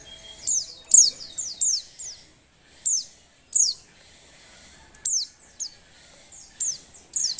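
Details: Female Oriental white-eye in breeding condition, calls meant to stir males to sing; rapid runs of high descending chirps, then scattered single notes, some clustered in threes.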